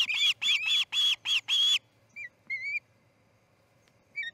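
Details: Osprey calling at the Charlo nest during a chick's fledging on an August 2018 morning; a fast burst of five loud, shrill whistled notes, then a few scattered softer upslurred chirps with silence between.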